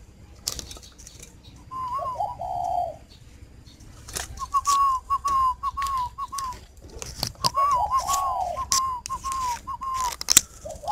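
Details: Spotted dove in northern Vietnam, kept at a garden in Ba Vì, Hanoi, cooing in quick runs of short hollow notes, a longer purring phrase early, then rapid repeated coos with clicks and taps in between.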